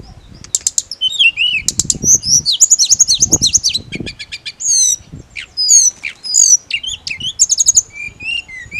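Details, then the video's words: Mountain leafbird sings a varied run of high chirps, fast trills, buzzy rattles and short whistled slurs that change every second or so, with soft low thumps underneath. "TERAPI ATASI TLEDEKAN GUNUNG HANYA NGIRIK"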